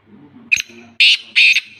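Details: Black francolin of the Sindhi type, outside its cage, calling loudly in three harsh, buzzy, high bursts, each roughly a fifth of a second long, with a faint low hum behind.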